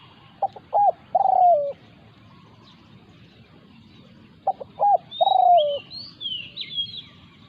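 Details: Spotted dove confronting a decoy in its territory. Two matching phrases about four seconds apart each run short coo, short coo, then a long, sinking, purring note. Quiet pauses separate them, and high chirping whistles come near the end.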